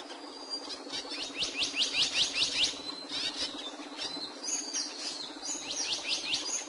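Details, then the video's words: Capuchino seedeater song: bright, high whistled notes given in quick runs of about six similar upswept slurs, then a pause and another run, over steady low hiss. "AVE CAPUCHINO Y SU HERMOSO CANTO"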